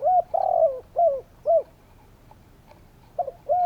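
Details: Spotted doves calling: a long wavering coo followed by two short coos, a pause, then another double coo ending in a longer note.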